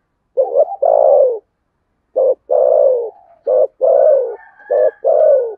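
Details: Spotted dove cooing in contest fashion, Sấm Thổ voice style. A double hoot leads into a long falling coo, followed by several clipped-note-and-coo pairs. A faint high whistled tone runs over the later phrases.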